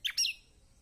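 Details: Kecial kombok, the lemon-bellied white-eye, in a lure recording for silent birds: two quick, bright twittering chirps close together, then quiet.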